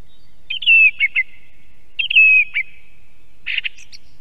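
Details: Song thrush singing near an osprey nest camera in Estonia: a clear whistled phrase with a sliding note and short trailing notes, given twice in a row, then a rougher burst of notes.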